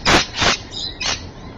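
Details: Rainbow lorikeet at Evans Head, 26 May 2012: three loud, harsh, broadband squawks, the first two close together and the third half a second later, close to the recorder.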